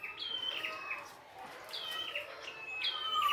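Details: Red-headed prinia (prenjak kepala merah) singing in the wild, giving clear high whistles that drop in stepped pairs, with a short pause mid-phrase and faint background birds.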